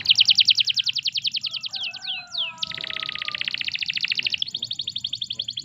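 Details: Canary song used as a master recording to prompt other canaries to sing: fast buzzy trills of rapid repeated notes, a few swooping whistles midway, then renewed rapid rattling trills.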